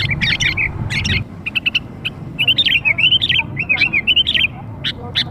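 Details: Sooty-headed bulbul chatter used to lure young birds: a low rumbling noise under the first second, then bursts of quick bright whistles and rolling chirps in uneven phrases, ending with a few scattered notes.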